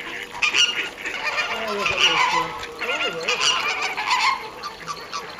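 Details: At WWT Slimbridge on 4/5/2011, a captive flock of Caribbean flamingos keeps up loud, goose-like honking, with overlapping nasal calls rising and falling throughout.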